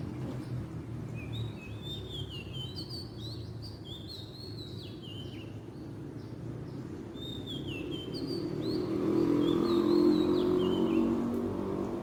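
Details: Wild Oriental magpie-robin pouring out a continuous series of varied whistled and warbled notes for several seconds, then falling quiet as a low mechanical hum swells in the background.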